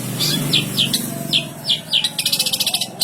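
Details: A long-tailed shrike (cendet) sings with sparrow song mixed into its repertoire: sharp, falling sparrow-like chirps, spaced then quickening into a rapid chattering run, over a low engine hum.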